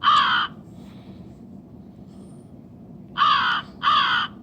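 A crow gives three harsh, hoarse caws: one, then a pause of nearly three seconds, then two close together. A faint low hum runs underneath.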